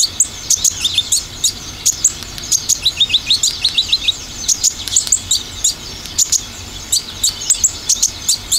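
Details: Olive-backed sunbird lure featuring dominant 'tembakan' phrases: continuous bright chirping with repeated quick runs of short downward notes recurring every few seconds.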